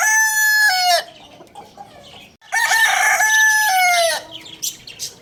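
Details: Rooster at a bird market crowing loudly: two long harmonic crows, each about a second or more, with a level held note that drops at the end. A quiet pause separates them, and faint chirping follows.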